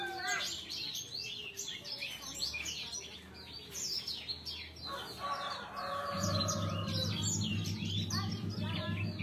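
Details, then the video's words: Sanger bird giving fussy, restless calls: a busy stream of rapid, high, sharp chirps and short down-slurred notes, several each second, with a low steady hum and voice-like sounds joining partway through. "Sanger suara rewel"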